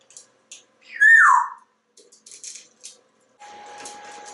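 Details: Talkative African Grey Parrot, a pet living in a Texas home, gives a loud falling whistle among soft clicks, followed by a steady electronic hum indoors.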